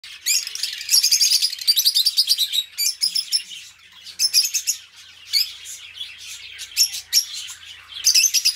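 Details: Two pet budgies kept as companions chatter in a dense, rapid warble of high scratchy chirps and trills, delivered in bursts with brief quieter gaps between them.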